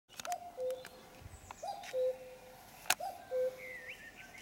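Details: Common cuckoo singing at 5 a.m. on a Sunday while still dark, giving clear two-note cu-coo calls, the first note higher, repeated about every 1.4 seconds; other small birds chirp faintly in the background.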